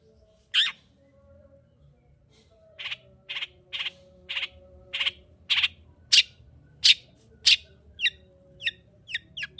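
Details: Long-tailed shrike lure song for stimulating a lazy singer: one sharp note, then a steady series of dry, harsh chack notes about every half second, shifting to short, quick downslurred chips at the end, with a faint hum behind.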